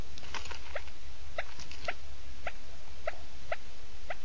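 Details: Quail used as a lure, male and female exchanging calls: faint, well-spaced short chirps about every half second, partly buried in strong low hum and broadband hiss.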